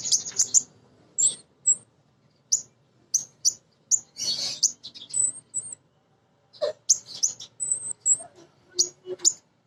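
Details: Female sunbird (kolibri ninja) singing steadily, used as a lure to provoke young untrained birds: high, thin chirps and short sharp twitters in bursts separated by brief pauses, with a rougher scratchy note midway.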